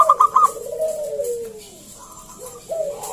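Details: Local wild zebra dove singing actively, its song used to draw other doves into singing: a quick burst of staccato notes, then a long, smooth coo that falls in pitch, and another coo starting near the end.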